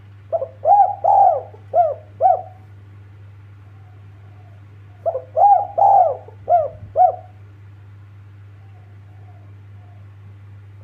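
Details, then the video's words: Calling to companions, a spotted dove repeats two phrases of five to six mellow, arching coos, each phrase lasting about two seconds and separated by a quiet gap. A low, even hum continues in the background. "BURUNG TEKUKUR KUK 2 MASTERAN AMPUH MEMANGGIL TEMAN SUARA INDAH MERDU DI DENGAR"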